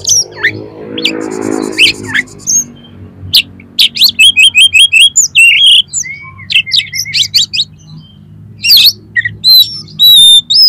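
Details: Oriental magpie-robin song intended to set other magpie-robins singing and spreading their tails: loud, varied phrases with a run of rapid repeated whistled notes, scratchy chatter and clear sliding whistles, over a faint low hum.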